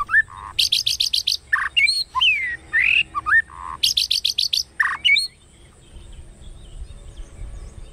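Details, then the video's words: White-rumped shama singing a competitive fighting song in 'kéo thuốc lào' style, used to stir up other shamas: two bursts of rapid sharp high chips, each followed by looping slurred whistles and low buzzy notes, then near silence. "Tiếng Kích Chòe Lửa Hót Đấu Kéo Thuốc Lào /Kích Chòe Lửa Căng Lửa / Chòe Lửa Hót Đấu 3"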